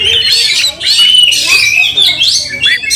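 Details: Fighting Oriental magpie-robin, angry and showing off its spread tail; a brief, intense run of high squeaky whistles and harsh chatter with a short upslurred note near the end.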